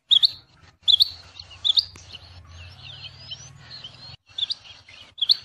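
A rain quail gives sharp, high, doubled whistled notes, repeated roughly every second, over faint chirps and a low rumble.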